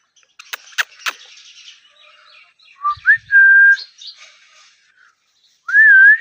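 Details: Ringneck parrot described as talking, giving pure whistled notes: a short low note, then a note that slides upward into a long level whistle, repeated later with a wavering rise. Faint clicks and soft chatter are audible early on.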